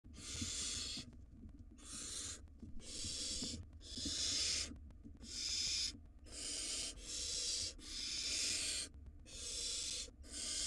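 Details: Wild barn owl nestling in a monitored nest box, swallowing a rodent. It gives about nine harsh, breathy hisses over ten seconds. Each hiss lasts roughly half a second to a second, with short irregular gaps between them.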